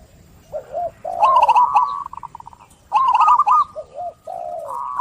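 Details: Zebra dove song with lilting low coos and rapid trilled notes, a brisk staccato run of short pulses, then two more phrases of rolling trills and wavering coos.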